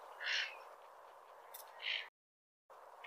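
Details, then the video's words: Cattle egret uttering two brief, hoarse squawks about a second and a half apart, with a short break in the recording and a faint trailing note near the end. "CATTLE EGRET BIRD|SOUND/ CALL"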